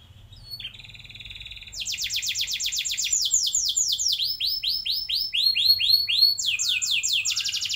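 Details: Canary song used to spur young canaries into long rolls: a quiet start, then a rapid trill that breaks into a series of loud, evenly spaced sweeping notes before trilling again.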